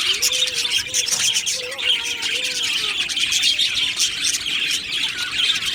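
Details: Colony of budgerigars in an aviary, constant high twittering chorus with a lower, wavering whistled note weaving through the first half beneath the bright chirps.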